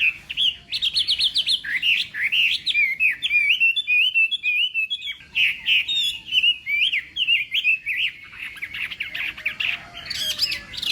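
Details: Chinese hwamei singing in the morning, trained for a singing contest; loud, fast run of varied whistled and slurred phrases between about 2 and 4k, densely repeated, with a brief pause mid-clip before the rich song resumes.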